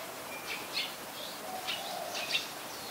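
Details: High, sharp, squeaky notes from a Malaysian pied fantail, recorded 14 January 2021 at Ubon Ratchathani, Thailand, given in quick pairs; a soft low whistle drifts underneath amid constant background hiss.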